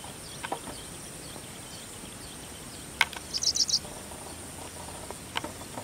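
Paddyfield pipit giving a quick burst of four or five sharp, high chipping notes within half a second, over a steady high insect drone and a few faint chirps.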